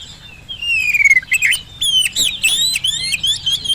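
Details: Oriental magpie-robin singing as a lure to prompt silent birds to respond. A long, clear descending whistle opens, followed by a lively run of varied warbled notes, buzzy trills and upslurred whistles at a high pitch.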